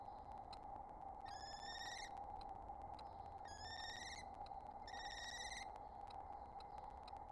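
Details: Mated pair of wild common kestrels communicating at their nest in April, during egg-laying: three slightly rising, whiny trills about 1.5 seconds apart, each under a second long, over constant low hum and ticking clicks.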